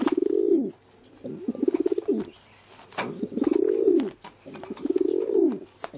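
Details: Pigeon giving repeated throaty coos, four rolling pulsed phrases in six seconds, each swelling then sinking, with short quiet gaps between and faint clicks in the background.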